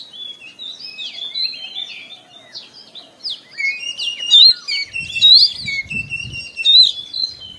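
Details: Oriental magpie-robin singing in the morning as therapy for stressed caged birds: a steady stream of chirps and whistles growing louder, with low thumping sounds near the end.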